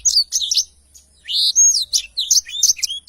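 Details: Short stretch of a black-throated canary's long rolling song, clean training audio: high twitters, a brief pause, then a drawn-out whistled slur followed by quick varied chirps.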